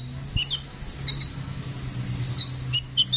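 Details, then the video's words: Brown-throated sunbird (kolibri ninja) in a lively rolling song: scattered thin, high squeaky chirps in small pairs and singles, irregularly spaced, over a steady low electrical hum. "Masteran burung kicau Kolibri ninja gacor ngeroll"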